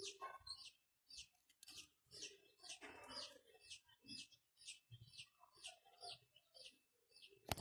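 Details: Pet Indian ringneck parakeet starting to talk, producing a fast run of high clipped chirps, several per second, broken by lower gravelly babble and short pauses, recorded indoors.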